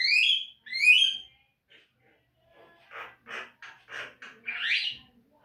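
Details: Javan myna singing, a master recording for caged birds: two clear rising slurred whistles, then quiet, then a series of rough buzzy notes ending in a loud harsh squawk.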